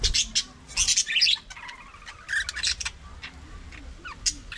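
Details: Budgerigars chirping while eating, short harsh bursts and rapid chatter high in pitch, with pauses between bouts.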